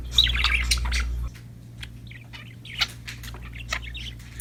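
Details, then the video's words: Budgerigars chirping happily at play: quick scratchy chatter early on, then sparse warbled notes and sharp clicks, with a constant low hum in the background. "Happy Parakeets Chirping Sound #budgies Singing, Playing"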